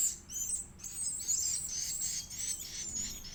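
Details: Edible-nest swiftlet (Aerodramus fuciphagus) chick at feeding, producing dense, high, hissy squeals that blur into a continuous wavering chatter.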